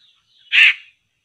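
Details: A single loud, rasping, noisy laughingthrush call cuts across a faint high whistle, heard while traps are laid for these birds.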